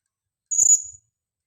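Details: A single shrill, very high, drawn-out note of about half a second from a female blue-crowned hanging parrot kept as a lure bird and calling vigorously, with a faint low knock after it.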